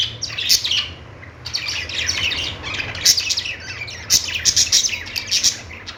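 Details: Budgerigars giving a continuous stream of high twittering chirps and raspy warbles, louder clusters around three and four to five seconds, low hum in the background.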